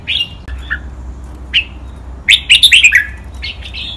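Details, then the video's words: Red-whiskered bulbul kept in a cage, recorded as a training song in the 'lak wai' counted, doubled-note style. Scattered single whistles lead into a fast run of about six ringing notes, followed by softer trailing notes. "นกกรงหัวจุก | เสียงร้องเบิ้ลๆ นับดอก แม่บท ลากหวาย คมชัดทุกดอก"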